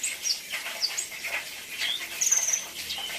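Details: Brown-throated sunbird, known locally as kolibri ninja, giving an 'isian' song of scattered high squeaky notes and a brief shrill trill near the end, against a busy backdrop of faint chirping.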